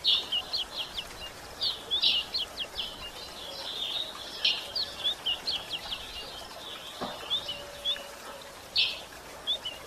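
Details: Female White-throated Seedeater calling to excite males, with scattered sharp high chirps and clicks at irregular intervals, a few brief buzzy notes, and a faint low tone near the end.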